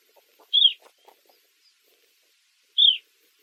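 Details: Two strong, slurred whistles from an Eastern Clapper Lark over two seconds apart, with a few faint soft taps between them.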